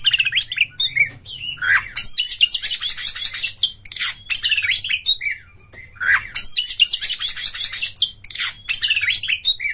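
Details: Kacer, or oriental magpie-robin, singing as a lure to excite others into opening their tails, singing hard and fighting; energetic, varied song of buzzy trills, quick sweeping notes and whistles, the phrase sequence recurring roughly twice.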